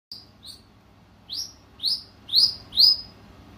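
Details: Captive African grey parrot whistling its own made-up music: a series of clear, rising high whistles, two short notes followed by four longer sweeping upslurs growing louder, with a faint low hum underneath.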